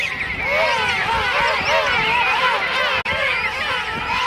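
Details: King Penguins in a vast colony at Right Whale Bay, South Georgia, Christmas morning 2008; loud wavering trumpet-like calls with rising and falling modulated notes, one caller prominent over the crowd, with a brief dropout near the end.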